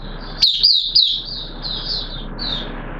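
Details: Oriental white-eye in captivity, singing during wet weather: a few sharp high twittering notes, then softer thin warbled phrases over a steady background hiss.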